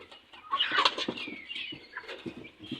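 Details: Young chicks fighting among a newly added group of fresh chicks, giving high shrill peeps in quick bursts over scuffling and wing-flapping noises.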